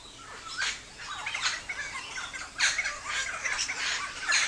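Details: Helmeted friarbird song: loud, harsh, squawky phrases with broad, rough notes, repeated in irregular bursts amid a dense chorus of other birds.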